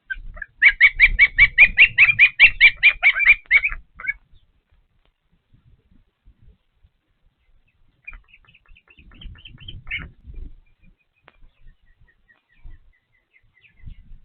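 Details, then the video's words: Nesting osprey in Patuxent River Park, feeding: a dense flurry of high whistled chirps for about three seconds, followed by quiet and a thinner, fainter run of squeaks. "Sneezing, Feeding, and Humming? Weird sound is the Hum? - Patuxent River Park Osprey Nest 1"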